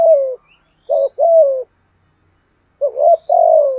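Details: Luring call of a decoy spotted dove: loud, deep, steady coos in a short group, a pause, then a rolling double coo followed by one long falling coo.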